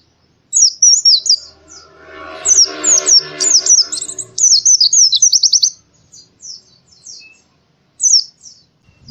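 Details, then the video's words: Morning song of an Oriental white-eye, high sweet warbled phrases in quick bursts with a brief fast trill, partly overlaid by a lower rattling, clattering noise for a few seconds. "suara burung pleci di pagi hari"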